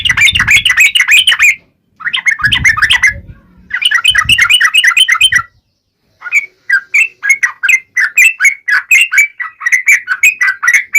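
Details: Sharp, forest-style song of a yellow-vented bulbul, used to spur other birds to reply. Three dense bursts of quick bubbling chatter over low rumbling, then a steadier series of separate bright chirps repeated about twice a second.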